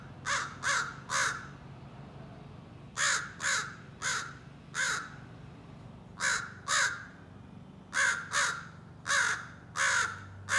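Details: Young American crow practising scolding and territorial calls: harsh caws in uneven bursts of two to four, separated by short pauses, repeated over about ten seconds with a low hum in the background.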